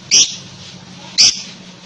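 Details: Two shrill, rasping lovebird squawks about a second apart, with a low hum and hiss behind.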